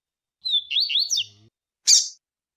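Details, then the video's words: Rusty-collared seedeater, tui-tui song and female call for training birds: one high whistled phrase of wavering notes rising and falling, followed by a single sharp high chip. "Piado de fêmea de coleiro,e canto de coleiro TUI-TUI."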